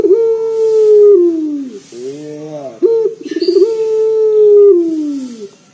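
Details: Local collared dove with a loud, bassy voice, used as a lure to get other birds singing: deep, even coos that hold steady and then slide down, split by a short purring burst, repeated.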